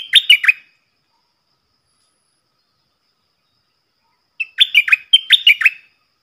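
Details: Decoy stripe-throated bulbul whose song is played so young birds sing along and wild birds come near. A short cluster of bright, jerky warbled notes, then silence and a longer doubled phrase of similar bubbling notes.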